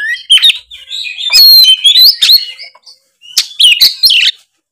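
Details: Oriental magpie-robin in full, loud 'gacor ngeplong' song, meant to boost another bird's confidence: very loud, varied whistles and warbles, rising and twisting phrases, some harsh bursts, a short silence near three seconds, then more ringing notes.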